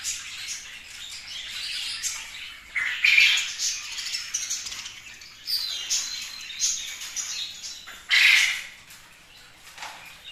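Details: Kept budgerigar chattering in a small room: bursts of scratchy, buzzy warbling mixed with short high chirps. Louder rasping phrases come near three and eight seconds, with quiet gaps between.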